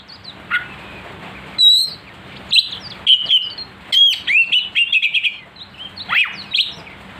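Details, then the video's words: Provocation song of an oriental magpie-robin, meant to make a kacer emotional: scattered high whistles at first, then a run of rapid, stuttering trilled notes and a steep falling slur. "pancingan Kacer agar emosi"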